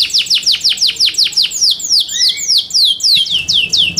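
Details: Competition song of a Yorkshire canary, a rapid run of sharply falling whistled notes repeated roughly three times a second, with one low rising slur in the middle.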